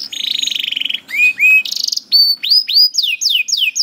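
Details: Song of a canary for tutoring young or silent canaries: a buzzy trill, rising whistled notes, a harsh burst, then a run of clear descending slurred whistles about four per second.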